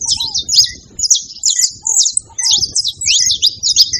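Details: Together, saffron finches give bursts of high, buzzy chips in clusters about twice a second, with brief mid-pitched peeps and low falling whistles, over a faint low background rumble.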